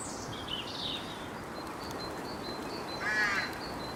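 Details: Rooks at their treetop nests in early March, with young being fed: a single hoarse, nasal caw near the end, fainter higher calls earlier and a thin steady whistle, over constant rushing background noise.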